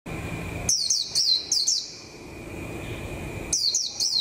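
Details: A captive Warbling white-eye (Japanese white-eye) kept as a lure bird, starting to come into form for the 2021 season, sings two bursts of very high, rapid, jumbled twittering notes over a faint steady electrical hum.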